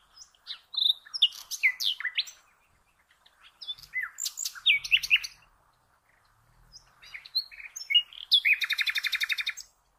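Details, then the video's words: Common nightingale song used for training cage birds: three bursts of varied phrases, sharp whistles, quick chirps and clicking notes separated by brief pauses, closing with a loud, fast, evenly pulsed trill; no other sounds. "The Best NIGHTINGALE Song"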